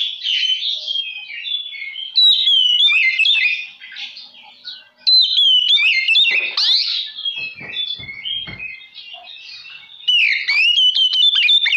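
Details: Provoking song of an oriental magpie-robin, long run of loud varied whistles, slurred sweeps and sharp ticking notes in bursts, with a quieter warbling stretch before a final loud phrase.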